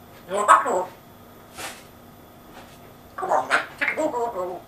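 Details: Captive African grey parrot talking in an English accent, copying its owner's speech: two clusters of voice-like syllables, with a short breathy hiss between them, in a quiet indoor room.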